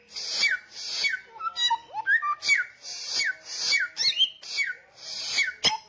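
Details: Samyong songbird singing loud and persistent: a run of falling whistled slurs, each paired with a harsh hissing burst, repeated about every half second, broken midway by lower, wavering whistled notes before the falling phrases resume.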